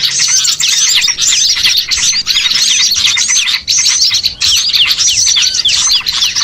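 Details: Many small birds calling together as a catching lure: rapid, overlapping bright chirps and curved whistled notes, with a few brief dips in the busy, otherwise unbroken twittering.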